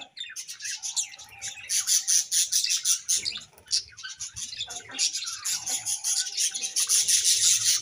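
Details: A pair-bonding session of budgerigars: loud bursts of squawky chirps and chattering come in quick pulses, with a short lull in the middle and a faint low hum throughout.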